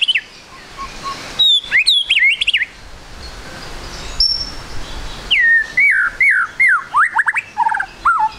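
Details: White-rumped shama singing as a lure to prompt birds to sing fast: bursts of rapid, varied whistled phrases, rising and falling flicks and slurred notes in quick runs, separated by short pauses.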